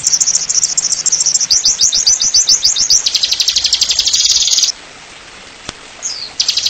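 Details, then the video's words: Oriental white-eye in ngeriwik nyembur song, a masteran tutor clip: a high trill of rising slurred notes, then a buzzier sustained run, a quiet gap, a short whistle and a renewed trill. "Masteran Pleci NGERIWIK NYEMBUR"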